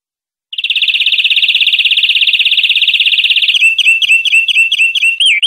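European greenfinch song: a fast, even rattling trill of about three seconds, then bright twittering notes, with no other sounds.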